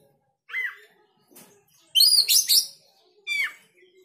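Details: Oriental magpie-robin, riled up by another bird's sound: a short downslurred whistle, a loud harsh chattering burst, then another falling whistle, separated by quiet gaps.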